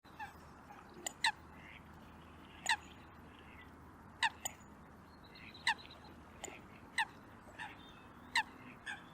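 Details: A few Eurasian coots (Fulica atra) at a local pond in Perth, Scotland, on 25 January 2023 give sharp, explosive clicking notes about every second and a half, with faint thinner calls behind.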